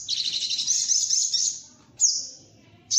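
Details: Sunbird call for luring birds onto birdlime: a long, dense, high-pitched chattering trill that trails off, followed by two sharp, bright, downward-sliding squeaks.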